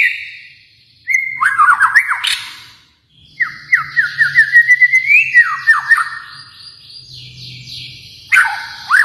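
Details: White-rumped shama from Kalimantan singing phrases of stepped whistles, some falling and some climbing, separated by short silences, with sharp chips between phrases.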